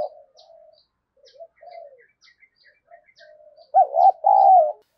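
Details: Spotted dove decoy bird meant to provoke fighting: soft, low murmured coos and faint chirps build to a loud, burred double coo at the end.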